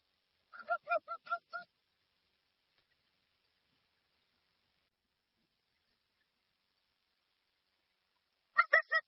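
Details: A burst of five fast, nasal honks from a dusky-legged guan, a long silence, then another loud series starting at the end.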